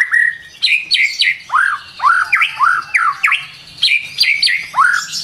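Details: Morning song of a white-rumped shama: swooping, upward-flicking whistles delivered in quick groups, with a few lower slurred notes and short pauses between bursts.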